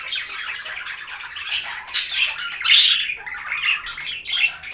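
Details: Budgie chatter indoors: a steady flow of scratchy squawks and warbled chirps, roughly one burst a second, rising into louder grating squeaks midway, with a busy, overlapping texture and no other clear sounds.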